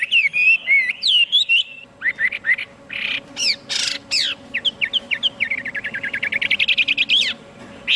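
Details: Chinese hwamei in full song, mixing looping whistles with harsh, raspy bursts and sharp downward notes, ending in a fast rattling run of short repeated chips that speeds up before stopping.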